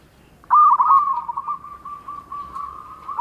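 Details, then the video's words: Local zebra dove singing vigorously with a distinctive voice: after a moment of quiet, one loud stuttering coo opens a long, even, softly rolling trill. "perkutut lokal gacor_ suara mempunyai ciri has"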